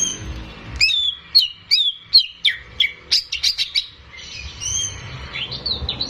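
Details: Greater green leafbird, a keeper's own caged singer, recorded for training young birds. Quick series of sharp chirps and short whistled slurs about three per second, then softer thin whistles.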